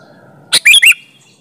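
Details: Single phrase from a sooty-headed bulbul singing vigorously, meant as a lure for other bulbuls: a sharp click-like burst, then two fast rising whistled notes.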